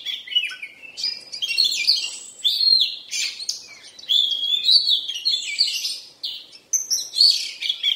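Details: Oriental magpie-robin in moult giving continuous loud song: dense, rapid high-pitched chirps, trills and whistled phrases with short breaks between bursts and no other clear sounds.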